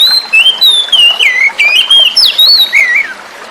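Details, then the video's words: Luring song of a forest-caught oriental magpie-robin, used as therapy for birds that stopped singing: continuous bright whistled phrases rising and falling, quick and varied, over a faint background hiss of running water. "Terapi burung Kacer macet bunyi"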